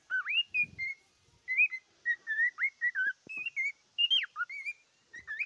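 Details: Cockatiel singing: a lively string of clear whistled notes, many rising or wavering, delivered in short bursts with brief pauses, including one sharp upward-then-falling sweep near the end; a faint low thump at the start.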